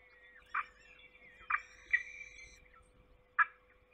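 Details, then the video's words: Peregrine falcon at its forest nest in Trzebież during a feeding on 7 May 2022: four loud, harsh, rasping call bursts, spaced about a second apart, over a steady low hum. "Sokół Trzebież Trzecie śniadanie w lesie"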